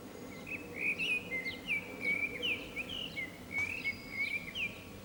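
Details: Common blackbird in April 2019 singing atop an antenna in San Martín, Zamudio, Bizkaia; a flowing run of mellow whistled notes, swooping and slurred, repeated in quick succession, with a brief click midway and soft background hiss.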